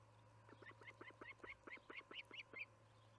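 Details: Osprey calling at the Charlo nest at evening feeding time, July 9, 2019, 6 pm MDT: a rapid, even run of about eleven piercing chirps, rising slightly in pitch toward the end, over a low continuous hum.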